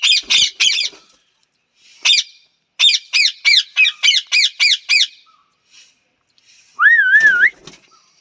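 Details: Parrot kept as a pet, giving a series of harsh squawks in quick bursts, about seven rapid strident notes in a row, then a wavering whistle that rises at the end; quiet background.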